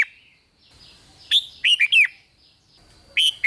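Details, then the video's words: Bright red-whiskered bulbul phrases, sung to excite other bulbuls, made of quick chirpy whistles that swoop up and down, given in two close bursts with a softer call in between. "เสียงนกกรงหัวจุก ร้อง ริก ยั้วให้นกคึกดีมาก"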